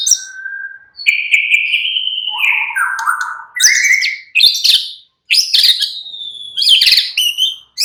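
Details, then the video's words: White-rumped shama, a caged songbird, in relaxed song: a long descending whistled phrase with lower warbles, followed by loud varied whistles and sharp high notes. "murai batu sudah ikut NYRECET GACOR dengan kicau Santai Murai batu ini"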